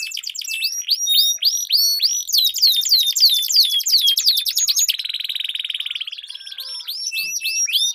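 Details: Two canaries duel in long-rolling song, played as a training lure for competition birds. Fast repeated upswept whistles give way to a dense buzzing roll near the end, then resume, all high-pitched and continuous.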